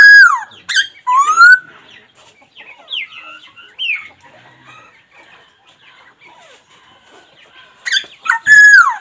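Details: Laughingthrush calling: loud, rich harmonic notes that swoop up and down in short bursts at the start and end, with a quieter stretch of softer scattered notes in between.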